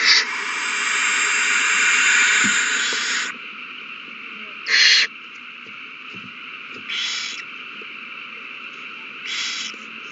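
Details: Owls at the nest in a frenzy after a mouse is found and given over, March 21, 2020. One long, continuous hissing screech of about three seconds, then three short, quieter rasping hisses spaced about two seconds apart, over a steady hum.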